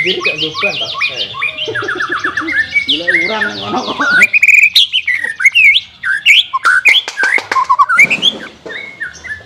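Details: Recording of white-rumped shama song for coaxing a reluctant bird to sing. It opens with layered, buzzy chattering phrases, then switches to crisp whistled notes and sharp clicks delivered in quick bursts.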